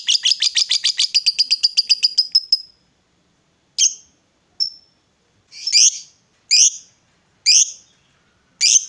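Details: Female fighter lovebird, used to provoke rival lovebirds, giving a long ngekek chatter: a rapid run of high shrill chirps speeding up and fading over about two and a half seconds, then separate harsh squawks about once a second.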